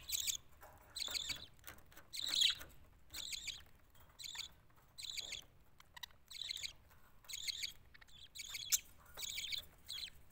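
Budgerigars give bursts of shrill, scratchy chirps, repeated about once a second.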